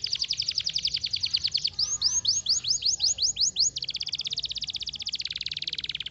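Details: Domestic canary singing a rapid, high-pitched song: a fast trill of repeated notes, then a slower series of rising upswept whistles, followed by dense buzzy rolling trills at steady pace.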